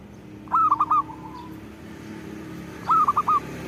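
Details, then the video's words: Zebra dove singing, with two short phrases of four clipped, arched cooing notes spaced a little over two seconds apart over a quiet, slightly hissy background. "Suara Burung Perkutut Gacor"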